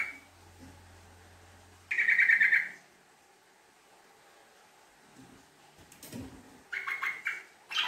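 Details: Yellow-vented bulbul in a fast 'ngekek' lure chatter. A bright rattling burst under a low hum is followed by a pause, a brief low scrape, then a shorter, quicker stuttering run of notes.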